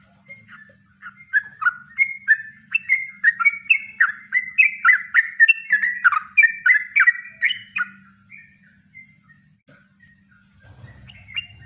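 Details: Yellow-vented bulbul singing its natural kongslet-style song for a master recording used to train birds; a lively run of short, bubbly, warbled notes that rise and fall, delivered quickly for about eight seconds over a faint steady low hum.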